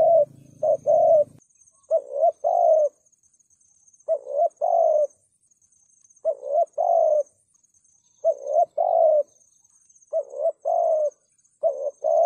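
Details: Spotted dove cooing 'thúc gù' style to provoke rival males: evenly spaced paired coos, a short clipped note then a longer warbling one, about every two seconds, a low hum opening the passage and a faint high whine.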